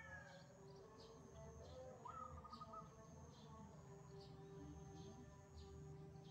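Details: Wild zebra dove singing in the morning, answering a caged bird: one short trilled, stuttering coo phrase midway, faint against steady low hum and rhythmic high insect-like pulsing throughout.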